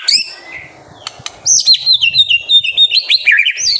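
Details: High-pitched White-rumped shama master song for drawing out young birds' singing: two clicks, then a fast continuous stream of thin warbled notes, ending in lower slurred phrases.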